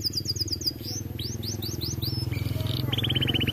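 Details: Canary song with quick high chirps, a string of rising slurred whistles, then a fast steady trill, heard over a loud low rumbling background noise.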